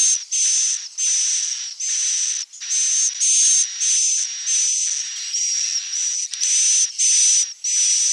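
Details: Edible-nest swiftlet calls for drawing the birds to nest: a regular train of loud, hissing buzzes, each with a piercing steady whistle inside, repeated about every 0.7 seconds with short silent breaks.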